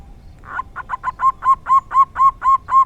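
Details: Local zebra dove, rare 'dor tak kowor kowor' song: a rough opening note followed by a steady sequence of arched, mellow coos, growing louder and repeating about four times a second.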